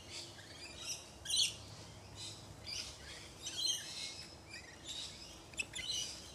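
Lorikeets give short, shrill, screechy chirps in scattered bursts every second or two, over a steady background hiss.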